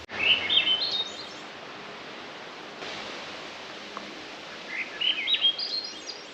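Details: A Swainson's Thrush on a mountain horse trail in West Glacier, Glacier National Park, Montana, sings two fluty, upward-spiraling phrases about four seconds apart, soft and distant-sounding, perhaps ventriloquial, over a steady outdoor hiss.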